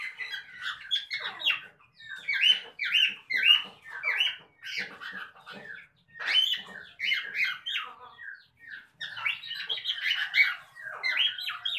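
A cockatiel gives a steady run of chirpy, warbling calls and short squawks.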